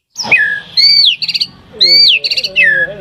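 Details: White-rumped shama song meant to get caged birds singing. Clear, loud, descending and arching whistles alternate with short buzzy bursts, repeated in a patterned sequence.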